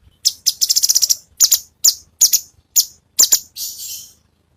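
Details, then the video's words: Cucak cungkok besetan song, used as a master song for songbird training. A fast chattering run is followed by spaced pairs of sharp, high, rasping notes, ending in a drawn-out hiss. "masteran ampuh suara cucak cungkok"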